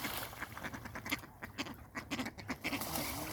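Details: Ducks fighting give short, nasal quacks about twice a second in an uneven rhythm, over a constant hissing background.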